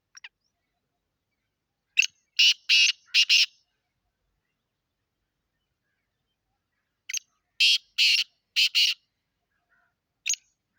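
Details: Black francolin in Sindh, Pakistan, giving two bouts of harsh, rasping call notes several seconds apart, each bout a quick series of four or five grating bursts, with quiet pauses between.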